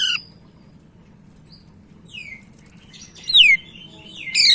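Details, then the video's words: Sumatran leafbird (cak ijo) from Medan: scattered high sweeping whistles with long gaps, then a bright downslurred phrase and a final loud slurred note, faint hum throughout. "Burung Cak Ijo Medan Gacor"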